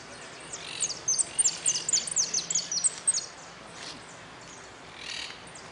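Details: Goldfinch in a singing contest at an interclub cup closing, 04-03-18, delivering a fast run of thin, high, ticking and twittering notes at about four per second, then a pause and a faint final phrase.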